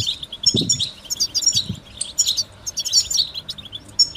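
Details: European goldfinch singing a motivating song: bright, rapid chattering twitters in phrases that start and stop, with a few low thuds early on.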